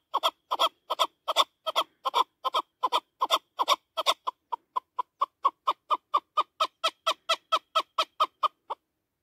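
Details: Chukar partridge in the mountains giving a long run of harsh, clucking chuk notes, about two to three per second, speeding up and becoming more even toward the end.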